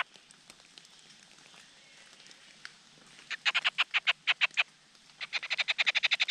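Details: Begging Large Niltava chicks at the nest as the male brings food: quiet at first, then two bursts of rapid, scratchy notes, the second faster and building in intensity.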